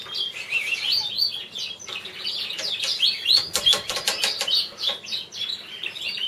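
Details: Caged variegated Border canary cock, a champion bird, keeps up a rolling, twittering warble with trilled phrases. Around the middle, a series of sharp rustling clicks, like wing flutters, breaks briefly over the song.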